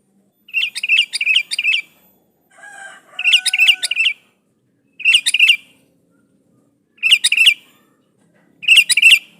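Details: A sooty-headed bulbul calling a rival, used to lure other bulbuls into answering: rapid bubbling phrases of three to four chirpy notes, repeated roughly every one and a half seconds, with a faint whistle between.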